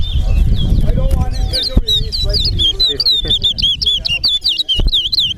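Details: Towa towa (chestnut-bellied seed-finch) at a singing race at Alligator Pond: a chain of quick high warbled whistles, rising and falling, over people talking nearby.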